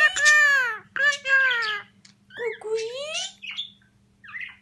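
A myna talks in rich, human-like phrases: four short voiced utterances with sliding pitch, ending in a squeaky whistle, over a low steady hum.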